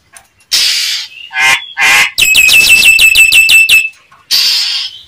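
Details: Nias hill myna giving a lure call meant to provoke other mynas into answering: loud harsh bursts, then a fast run of ringing, repeated notes, then another harsh burst.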